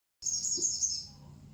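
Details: Sooty-headed bulbul singing: a bright, high, sustained trill with a rapid shimmering quality, holding steady for about a second before fading, over faint low background noise.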